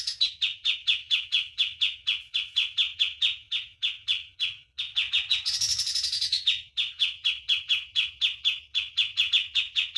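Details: Common iora master song for training birds: a long, fast run of sharp, repeated chirps at an even rhythm, about three per second, broken midway by a brief, higher, buzzy burst.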